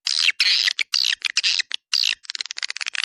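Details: Swiftlet attracting call, 'Dua Bidadari' style. Harsh buzzy chirrs of a few tenths of a second each are followed by a fast sequence of short ticking notes.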